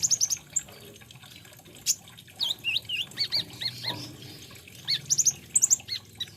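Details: Olive-backed sunbird, locally kolibri ninja, singing a lively song: quick high chips, a sequence of squeaky looping whistles, paired mid-pitched notes, and closing bursts of sharp high notes.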